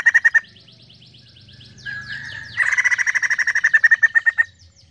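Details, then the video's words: White-crested laughingthrush singing energetically: quick ringing notes open, then descending whistled slurs, followed by a long fast series of loud repeated chattering notes that slows slightly toward the end. "Poksay jambul gacor penuh emosi"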